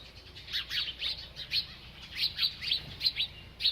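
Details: A bird chirping as it feeds: short, piercing high chirps and twitters come irregularly, with a brief lull before two seconds and then a lively string of sharp notes to the end.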